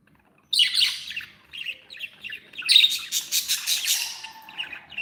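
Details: After a moment of quiet, happy pet budgerigars break into a harsh squawk, then a rapid, pulsing stream of scratchy chatter and warbling notes that carries on to the end.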